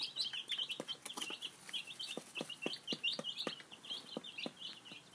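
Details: A group of five-day-old chicks eating breakfast, peeping loudly and continuously in high, quick notes, while sharp regular pecks on the feeder tick through the whole stretch.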